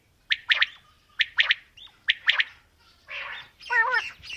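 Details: Quail, female and male calling: three sharp high three-note phrases in quick succession, followed by a harsh noisy burst and a wavering, warbled call.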